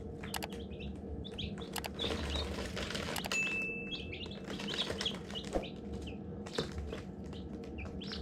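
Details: Baby chicks at hatching time give a busy stream of short, high, arched peeps, some overlapping, over steady low hum and scattered sharp clicks and scratching.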